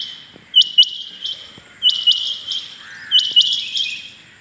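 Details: Morning calls of rain quail, recorded 6.7.21: clipped, ringing double notes, high and metallic, given in quick bursts of two or three roughly every second, a softer lower warble in between, otherwise calm surroundings.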